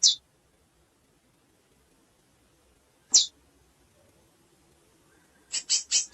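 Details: A female curió, the chestnut-bellied seed finch, gives spaced single high chips, then a quick burst of three harsh chirps at the end, in quiet surroundings.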